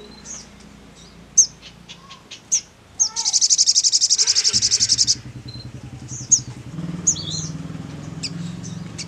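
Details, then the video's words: Sogon calling with scattered sharp high chirps and short whistles, then a dense buzzy high trill lasting about two seconds, followed by more chirps over a low pulsing hum. "DENGAR PANGGILAN SOGON SEPERTI INI"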